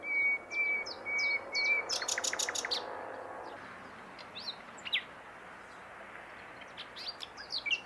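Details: Common nightingale singing: pure level whistled notes, then quick chirps, a rapid buzzy rattle of repeated pulses, and scattered sharp high notes, with faint outdoor background hiss.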